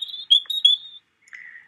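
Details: European robin resuming its song after a pause, as robins often pause between verses: a thin, very high steady whistle with quick sharp notes, a brief silence, then a lower, slightly buzzy trailing note.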